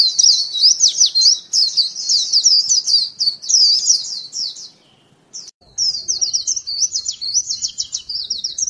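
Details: White-eye lure call: rapid, high, twittering warble of tumbling chirps and slurred notes, sustained for about five seconds, a brief silence, then the same bright chattering resumes.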